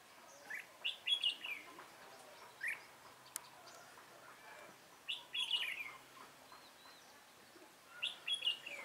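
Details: Red-whiskered bulbul, wild-caught with a decoy bird on 24 March 2018; short whistled phrases repeated every few seconds, each a quick rising-falling slur, with faint other chirps in the background.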